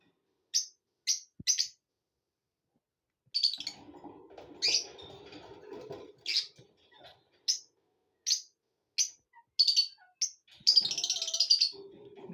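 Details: Cheerful lovebirds give evenly spaced, piercing high chirps, first three quick ones, then more after a stretch of rustling, finishing in a dense burst of shrill chatter.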